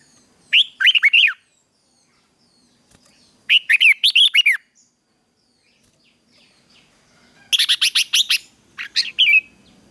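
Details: Red-whiskered bulbul morning fighting song, used in training to stir wild-caught birds to sing: three bursts of quick, bright, rising-and-falling warbled notes, each about a second long, separated by short silences.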